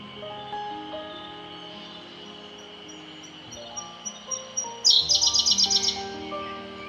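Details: Siberian blue robin on Mt. Haruna, Japan: a very high, thin held note, then a fast, bright trill of about ten notes in a second, over soft background music.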